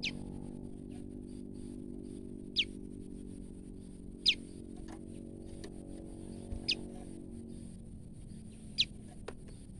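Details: Scared female olive-backed tailorbird giving single sharp, falling chips at irregular intervals of about two seconds, five in all, over a steady low droning hum.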